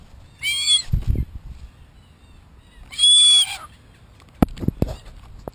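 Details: Red-tailed black cockatoos, wild in Australia, close to a spy camera they damage: two loud, harsh, harmonic screeches about two seconds apart, followed by sharp knocking and tapping sounds.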